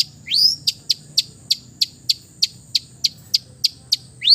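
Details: Relaxed song of a long-tailed shrike from East Java, full of mimicry: a rising whistle, then a steady series of crisp high clicks about three per second, closing with another upswept whistle.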